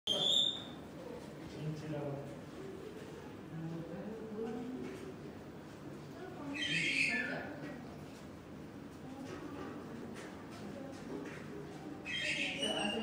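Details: A superb starling at Saitama Children's Zoo, 17 October 2021, gives brief, bright, harsh squealing phrases over a low murmur of people talking.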